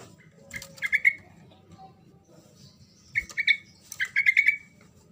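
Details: Sooty-headed bulbul singing energetically to draw a response from silent birds: two bursts of rapid, liquid, bubbling notes, the second longer and run together, separated by a quiet pause.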